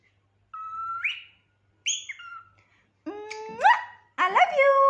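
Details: Loud whistles from a dramatic pet cockatiel, starting with level tones that flick upward. They build into rich, harsh, rising screeches and a final raucous drawn-out call.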